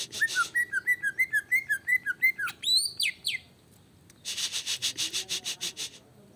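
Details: Emotional greater green leafbird provocation song. A quick series of bouncy, looping whistles leads to a few loud rising sweeps. After a pause comes a coarse, buzzy, rattling series of rapid pulses.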